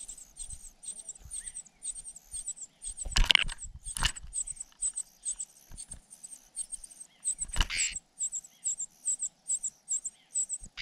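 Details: Cuckoo chick being fed by its foster parents: thin, high squeaky begging notes repeated steadily about twice a second, broken by two loud rustling bursts of handling or wing noise.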